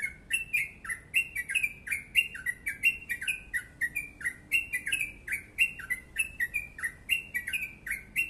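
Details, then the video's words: Yellow-vented bulbul singing the fast crucukan 'ropel panjang' song: crisp descending chirps packed closely together in an energetic, nonstop series, little other sound present. "Crucukan ropel panjang gacor sped rapat"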